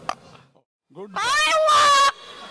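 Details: Hanuma, a double yellow-headed amazon living at a Hindu temple in Frisco, Texas, talks in front of a large crowd, giving a short rising voice-like phrase, then a loud, nasal, drawn-out word of about a second, after a faint click.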